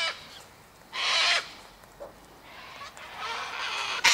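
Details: A flock of sulphur-crested cockatoos at a seed feeding spot by an eastern gate; one loud harsh squawk stands out, followed by a longer, rougher raspy call and softer background calls.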